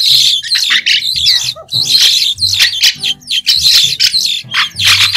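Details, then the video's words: White-shouldered starling singing without background noise: an almost continuous stream of scratchy, squealing chatter in overlapping phrases, with a brief pause and a low dipping squeak about a third of the way through. "Tiếng chim Sáo đá trung quốc không tạp âm | White-shouldered Starling | นกกิ้งโครงแกลบปีกขาว"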